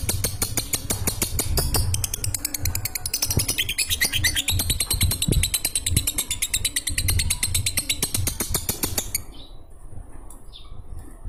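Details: Lovebird chattering ngekek-style as it falls asleep: dense, rapid, high rasping notes continue for about nine seconds over a low background hum, then stop, leaving only faint sounds.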